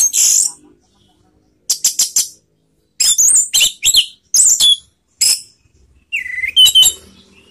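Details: Orange-headed thrush in 'teler' lure style, intended to raise emotion and breeding urge: scattered bursts of high chattering and squeaky notes, ending with a lower drawn-out whistle and twittering.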